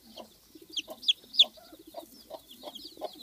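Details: A hen kept with a big brood of chicks clucks in short low pulses while several chicks give loud, sharp, high peeps, with a soft murmuring cluck run underneath.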